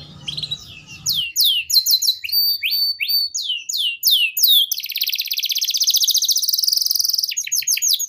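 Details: Canary singing continuously to stimulate young canaries: crisp downslurred whistles and clipped chip notes in quick succession, followed by a long, even, buzzing trill and a last burst of sweeps.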